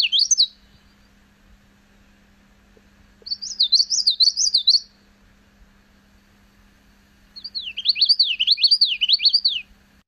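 Common Yellowthroat song: three bursts of rolling, high 'witchety' phrases, each a quick up-and-down run repeated several times, over a faint steady hum.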